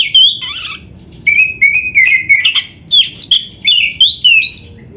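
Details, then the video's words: Kacer, or oriental magpie-robin, pouring out dense 'isian' song: piercing high whistles, flat held notes and quick slurred phrases, repeated in rapid bursts roughly every half second. "Kacer gacor full isian RAPET"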